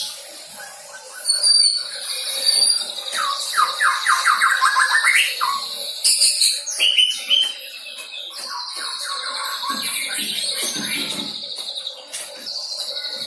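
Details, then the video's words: Recently moulted young white-rumped shama practising filler song material. Fast rattling trills and a long sustained high tone alternate with scattered sharp chirps and varied phrases. "MURAI BATU PASTOL GACOR BELAJAR BAWA MATERI"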